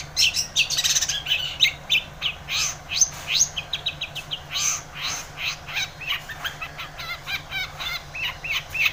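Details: Long-tailed shrike in energetic song, used to coax a lazy shrike into singing: a long rapid stream of scratchy chattering, clicks and sharp high chirps in uneven bursts, over a faint low hum.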